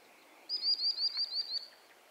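Common Sandpiper giving a thin, high-pitched trill of about eight rapid piping notes over just over a second, against faint background noise.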